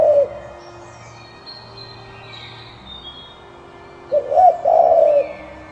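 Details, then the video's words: Dove giving a short, low, soft coo phrase of two or three swelling notes near the end, after a clipped coo at the start, with faint distant bird chirps in between. "Dove Calls and Sounds l Dove Bird l ঘুঘু পাখির ডাক l ঘুঘুর ডাক"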